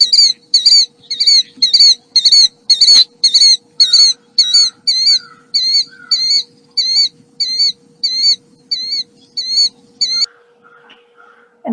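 Killdeer calling a shrill, high, wavering note over and over, about two each second, then a few softer notes, with a steady low electrical hum behind.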